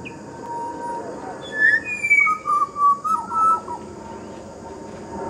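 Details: Pied butcherbird singing in a garden bird sanctuary, one of a family with partner and juvenile: clear whistled notes, a long high whistle then a rapid run of fluty warbling phrases near one pitch, over steady background hiss.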